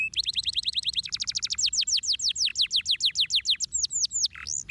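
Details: Canary singing a fast trilled song: high, rapidly repeated downward-sweeping notes in steady rolls of about eight per second, shifting to slower, longer swept notes, ending in a lower burst; faint low background hum throughout.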